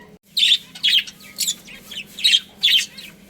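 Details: Budgerigar colony chirping: loud rasping high chirps in clusters roughly every half second, with a faint steady hum underneath.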